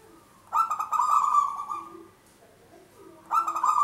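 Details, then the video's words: Local zebra dove singing a long song suited to luring birds for trapping: a stuttered start flowing into a sustained, warbling coo, a short pause with faint low murmurs, then the next phrase starting. "Perkutut lokal gacor suara cocok.untuk pancingan."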